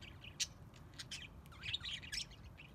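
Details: Aviary budgerigars giving sharp, scattered high chirps and squeaky twitters, with a loud single chip early on and a denser chattering flurry near the end, over faint low rumble.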